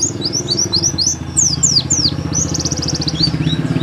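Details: Nembak song of a pleci paud, the Oriental white-eye, recorded at home as tutor material: sharp rising and falling high chirps, then a fast buzzy trill, under a loud engine-like rumble.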